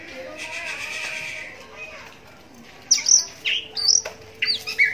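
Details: Oriental magpie-robin with a cataract in its right eye, singing to provoke replies from other magpie-robins; a harsh buzzy rattle gives way to bright whistled notes and quick slurred chirps, over a steady low hum.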